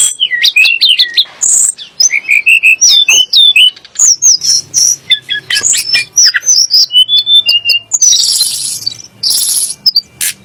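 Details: Sunda blue robin, named as a rival that agitates Oriental magpie-robins and shamas, delivering a rapid, varied song of looping whistles, staccato chips and harsh raspy bursts in dense, continuous phrases.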